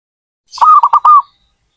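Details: Zebra dove cooing: one short, mellow phrase of about four soft, rolling notes, the first and last drawn out and the middle two clipped, delivered in just over half a second against total silence.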